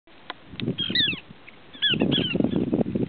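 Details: Small pratincole giving short, sharp downslurred chirps in two brief clusters, separated by a quiet gap, over bursts of low rumbling wind or handling noise.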